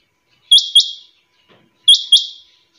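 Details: Quail gives a bright, high double-noted call twice, each pair of quick notes fading out, with a second of quiet between them.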